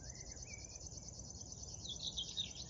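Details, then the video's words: River warbler singing high in shrubs along the Drentse Aa near Tynaarlo, Netherlands, on the morning of 10 June 2022: a dry, rapid, insect-like pulsed reeling buzz, high-pitched and steady, with other birds' thin whistles and brief chirps. "Krekelzanger - River Warbler"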